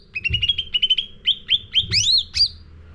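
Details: Sooty-headed bulbul song played as a lure for training caged birds: quick clusters of short chirps, then several louder rising-falling whistled notes, spaced about a quarter second apart.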